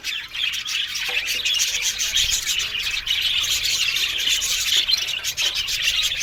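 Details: Australian budgerigar colony in an aviary, unbroken high-pitched twittering and buzzy warbling from many birds, fairly even in loudness.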